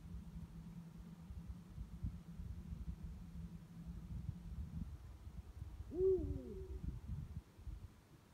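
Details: Eurasian eagle-owl (Bubo bubo), one of two calling at night: one deep, brief hoot about two-thirds of the way through, over a steady low rumble and night background noise.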